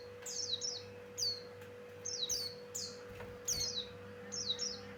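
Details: Javan grey-throated white-eye (pleci Buxtoni, opior jawa), male song used as a lure for wild birds: high, thin descending whistled notes in quick pairs and trills, repeated every second or so, over a steady low hum.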